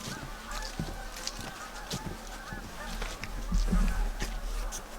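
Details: Canada geese (Branta canadensis) fly overhead in fall at MacGregor Point Provincial Park after a chilly, wet, overcast weekend, giving faint nasal honks at irregular intervals over a steady low rumble and outdoor background noise.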